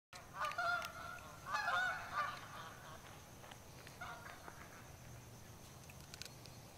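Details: Canada goose family with six goslings now able to fly, calling as they fly and land on a school lawn on 8 July 2014: loud, nasal honks in three short bursts, then faint clicks and steady background noise.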